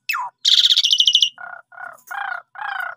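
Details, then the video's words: Song of Asian pied starling played as a lure for young or sulky birds: a falling whistle, a long loud rattling buzz, then four lower nasal churring notes spaced about half a second apart. "Jalak Suren Paud, Pundung Langsung Respon Gacor Dengan Pancingan Jalak Suren Ini"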